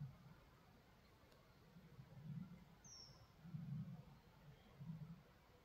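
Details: Common kingfisher in the Draga valley, Ribniki, on 19 October 2024, giving one brief, shrill, very high whistle falling slightly in pitch, over a steady low rumble of wind.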